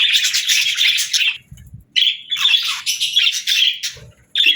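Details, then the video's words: Budgerigar chattering in lively warbled phrases of buzzy chirps and clicks, separated by brief silences, with soft low taps in the gaps. "Budgies Singing"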